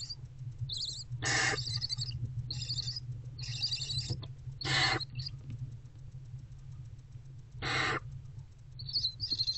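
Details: Mother barn owl and her older owlet bonding in a nest box before dawn on 20 February 2024. Long harsh rasping hisses recur several times, mixed with brief high twittering chitters over a steady low hum.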